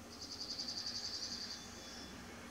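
A bald eagle gives a quick chittering run of thin, high piping notes, about fourteen in under two seconds, over a faint background hiss.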